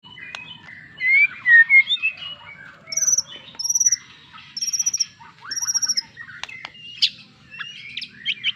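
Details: White-rumped shama song: varied whistled phrases and rapid repeated high notes, clipped trills and sharp chips in short bursts separated by brief pauses.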